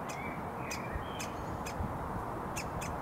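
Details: Hungry woodpecker fledgling in a Surrey front garden by a road, June 2022, calling to be fed: six sharp, short high calls spaced about half a second apart over a steady low rumble of road traffic.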